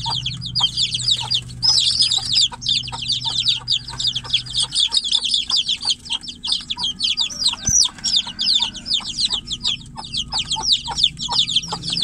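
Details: Young chicks locked in a cage, the mother hen outside, keep calling for her; continuous shrill peeping, many short falling notes layered together, a low hum fading after the first few seconds.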